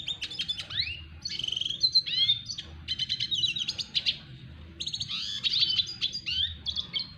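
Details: A red siskin sings a fast, twittering courtship song to a female, of high chirps, sweeping whistles and buzzy trills, delivered in bursts over a low background hum.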